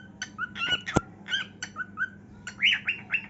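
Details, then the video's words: Cockatiel singing while dancing with its heartwing display: short warbled and squawky chirps, some sliding whistles, a sharp click near the start, with a faint low hum behind. "Cockatiel Dancing & Singing"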